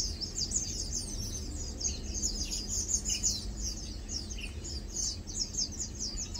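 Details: Several Lowland White-eyes (Zosterops meyeni) chilling and preening; bright, high, thin chirps tumble over one another in a busy twitter, with a few slightly lower notes and low background noise.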